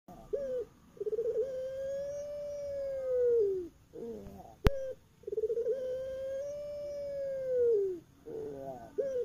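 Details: Captive Barbary dove (puter pelung) kept in Java, Indonesia, singing at night: two long drawn, steady coos of about two and a half seconds each, each led in by short gurgling notes, with one sharp click between them.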